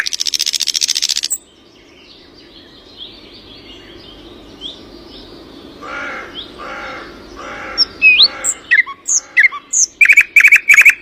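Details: Early morning birds: a brief hissing burst opens, then quiet, then harsh, layered harmonic calls repeated in short bursts, followed by sharp rising chirps and a rapid run of high ticking notes near the end.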